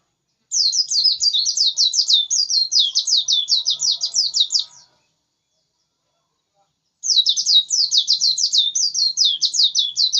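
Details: White-eye singing insistently in two long bursts of rapid, high, tumbling twitters, each around four seconds of dense, jerky warbled notes, separated by a two-second silence.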